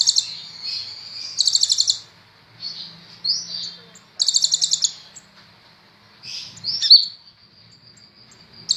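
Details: High-pitched song of a kolibri ninja sunbird, a kept bird singing fairly vigorously: short rapid trill bursts alternate with thin rising and falling whistled slurs.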